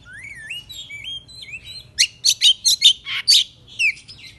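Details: Oriental magpie-robin (kacer) singing in the morning: a fierce 'fighter' song meant to provoke other magpie-robins into excited, tail-spreading singing. Slurred rising and falling whistles lead into a rapid burst of about eight loud, harsh, buzzy notes, with a quiet low hum beneath.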